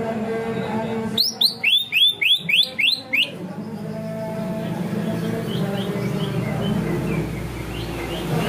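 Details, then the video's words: Greater green leafbird song in the 'ngunci kenari' style: about seven rapid, ringing upswept notes in a two-second burst, then only constant low murmur and noise. "cucak ijo materi ngunci kenari"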